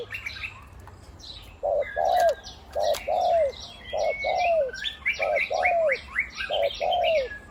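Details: Spotted dove used as a decoy, deep one-'kuk' voice; paired coos, a short note then a longer falling one, repeated about every second, alongside dense high chirps from other birds.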